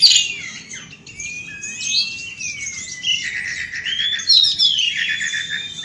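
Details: Asian pied starling singing outdoors in a rolling 'gacor ngeroll' manner, an unbroken run of gliding whistles, slurred warbles and scratchy high notes with no breaks.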